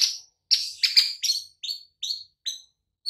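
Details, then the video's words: White-rumped shama master recording for coaxing quiet birds into song: a quick series of sharp, high chipping notes, about seven in three seconds, starting buzzy and loud then thinning into cleaner, fainter whistled chips. "Murai Batu BISU & LOYO langsung NYAUT Seketika dengan MASTERAN Ini"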